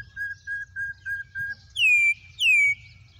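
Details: Wild campo troupial singing: five short, level whistles in a steady row, then two loud, ringing, downslurred whistled notes, with a faint low rumble underneath.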